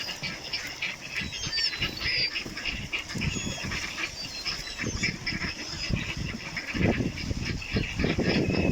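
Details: Ducks calling outdoors: a dense, overlapping chorus of harsh, broadband quacks in irregular bursts, over a steady low rumble, with thin high chirps from small birds in the background.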